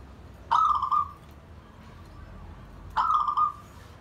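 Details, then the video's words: Pet zebra dove calling while bonding and inviting other birds: two short, rich cooing notes with strong overtones, about 2.5 seconds apart, over a faint steady background hum. "Zebra dove bonding"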